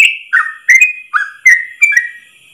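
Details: Yellow-vented bulbul singing a long 'ropel' song in one breath, used as a training recording for caged birds: short bright whistled notes, each dipping or sliding, about every third of a second, then fading.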